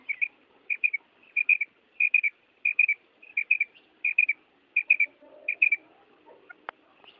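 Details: Calling female common quail, high bright notes grouped in twos and threes, repeated evenly about every two-thirds of a second, with a single sharp click near the end.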